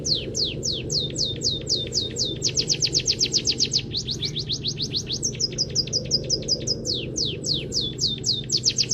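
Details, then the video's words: Munia master song stuffed with canary phrasing, used to coax other songbirds into singing. Rapid chains of high, downward-slurred whistles, some stretches faster and tighter, with a constant low background hum. "Masteran Burung Peking Emprit Kaji Gacor ❗❗Isian full Kenari"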